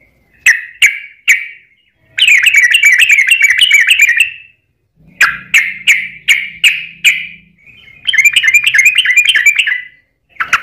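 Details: Yellow-vented bulbul (trucukan) giving bubbly, liquid notes, then long rapid chattering runs of gurgled phrases, used as a lure to provoke other bulbuls to sing; a faint low hum is heard briefly in the background.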